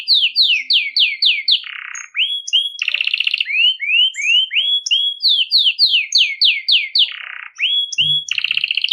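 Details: Belgian canary singing nonstop in a bell-like style, meant for warming up canaries and training chicks: fast series of descending whistled slurs, rolling buzzy trills and rising sweeps, varied phrases delivered without pause.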